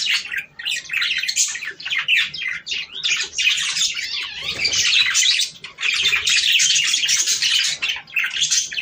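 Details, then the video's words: Budgerigars singing to stimulate breeding, a busy flock chorus of squawks, chirps and warbling chatter in bursts with brief pauses, several birds calling over one another indoors. "صوت طيور البادجي ــ تحفيز للتزاوج"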